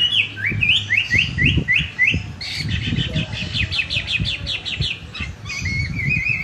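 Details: A contest-quality Chinese hwamei singing just after bathing gives a loud, varied whistled song: rising slurred notes, then rapid repeated phrases and a sustained warble, over low rumbling background noise.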